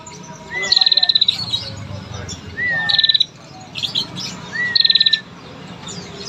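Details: A female bar-winged prinia, used as a lure to make males sing, gives a fast, high ticking trill paired with a short whistled note, the phrase repeated three times about every two seconds over a low hum.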